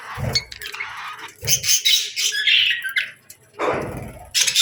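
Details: Summer parakeets chirping, harsh squawks and warbled chatter in bursts separated by low rustling thumps.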